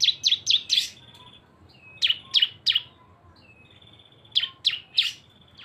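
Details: Combination lure of two cisem birds with loud, high chirps in groups of three or four, linked by thin level whistled buzzes.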